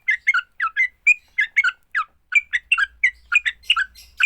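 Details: Fighting song of a sooty-headed bulbul, used to provoke other bulbuls to sing: crisp, chirping notes in short clusters with quick slurs, delivered at an even pace, with a faint low hum at the end.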